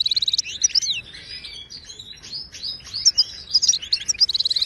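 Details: Authentic Moroccan goldfinch, Widani style, singing a continuous, dense twittering phrase of liquid whistles, buzzy chirps and quick rattled trills at start and end, meant to teach caged birds.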